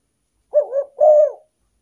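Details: Spotted dove cooing, used as a lure for wild doves; one phrase of a rolling double note followed by a fuller, longer coo ending in a gentle downward slur, clean and quiet surroundings.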